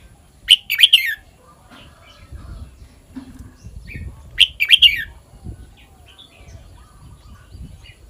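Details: Red-whiskered bulbul singing the phrase style known as kwik-jok-khwai-liang: two short bright warbled phrases of quick whistled notes, roughly four seconds apart, with faint background knocks.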